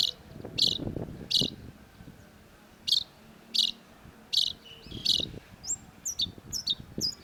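Long-tailed shrike giving harsh, scratchy notes about every three-quarters of a second, breaking into quicker chattering phrases toward the end; low rumbling noise underneath.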